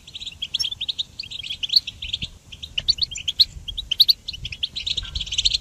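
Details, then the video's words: For songbird training, a goldfinch delivers separated clusters of crisp twittering notes and short trills, a little more spaced than a continuous stream, with some sharp higher accents and a quiet backdrop. "Goldfinch Song Training"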